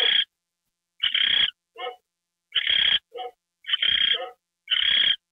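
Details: Owl on a live camera receiving a mouse treat, January 28, 2013, 9:33 PM; harsh, raspy hissing bursts about half a second long, roughly once a second, with fainter shorter rasps between them.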